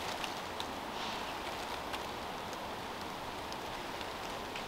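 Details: Steady rain patters on leaves and surfaces, with no animal sound heard.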